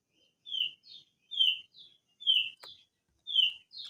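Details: Crested darkeye song, its long rolling style called ngerol, heard softly: paired phrases repeating about once per second, each a bright downslurred whistle followed by a short, higher buzzy note.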